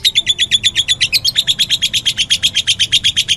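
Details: Meloloh lovebird giving a dense, rapid series of shrill, rasping chirps, about seven per second, loud and steady throughout.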